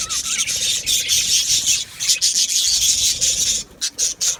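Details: Aviary colony of Australian budgies, 12 July 2025: a thick, bright warbling chatter of many birds, steady for most of the time, then breaking into short bursts and pauses near the end.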